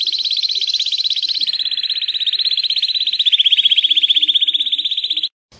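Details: A Belgian canary delivers one long continuous rolling trill of rapid, even notes at a steady pitch for about five seconds, in a recording made for young canaries to learn from.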